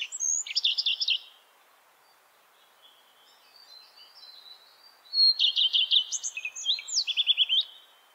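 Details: Song of a Common Redstart, two phrases about four seconds apart, each opening with a thin whistle and running into rapid scratchy, trilled notes ending in high twittering; faint background hiss between phrases.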